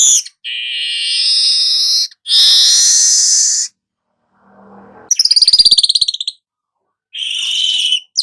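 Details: Golden-headed weaver singing, recorded as training material for songbirds: two long buzzy wheezes, a quiet gap, then a fast rattling trill and a final shorter buzz.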